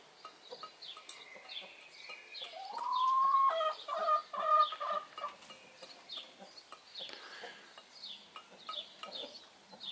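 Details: Brahma broody hen out and about away from the nest on her daily break, voicing loudly; a rising, whining harmonic call followed by rapid clucking notes, with faint chirps of small birds in the background.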